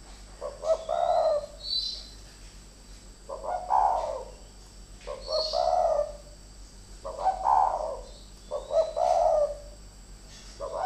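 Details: Two decoy spotted doves fighting, exchanging deep, throaty cooing phrases about every one and a half to two seconds, the stuttering notes swelling into rolling coos, with a faint chirp above.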